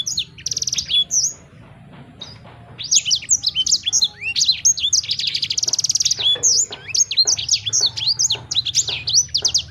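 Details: Extended sanger bird song, a quick opening phrase, short lull, then sustained rapid chattering of high chirps, sweeping whistles and buzzy trills repeated densely to the end.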